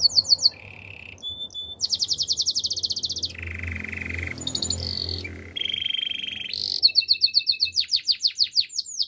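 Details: Singing Belgian canary switching quickly between high rattling trills, lower buzzy rolls and sharp bright notes, finishing with a rapid string of descending whistled sweeps. Faint low hum underneath.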